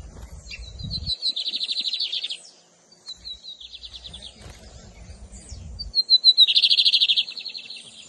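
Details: Lined seedeater (bigodinho), camelão versus torneiro song styles, 2023 season: clear high buzzy trills of rapid repeated notes, about three bursts, opened by thin descending whistles, with brief low thumps between phrases.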